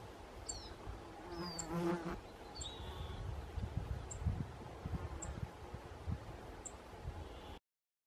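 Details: Rustic bunting family group recorded in Hedmark in 2016: faint high clicking call notes repeated about every second, with a few brief downslurred chirps early on, over a soft low rumble.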